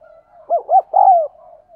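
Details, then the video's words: One phrase of spotted dove cooing for decoy training and attracting wild doves: two short arched hoots, then a longer falling coo, over a faint continuous low murmur. "Tiếng Chim Cu Gáy Thúc Gù Dùng Tập Mồi, Bổi Nghe Xiêng Gáy"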